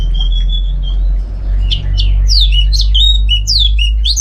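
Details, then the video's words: Loud, varied song of a kept Orange-headed thrush at home in Singaraja, North Bali: a flat whistled note, then a tumbling series of sharp downslurred whistles and chirps, with a low rumble underneath. "Super Kicauan ANIS MERAH Gacor"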